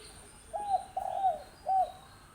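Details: Six-month-old wild spotted dove giving a coo phrase: two linked buzzy coos followed after a pause by a shorter rounded coo, mid-pitched, with constant hiss in the background.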